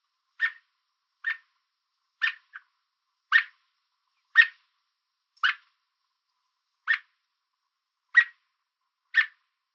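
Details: On a fence in Southern Ontario, Canada, an American robin chirps repeatedly as a warning to stay away. Nine short, sharp notes come at uneven intervals of about a second, one followed by a faint softer note. No other sounds.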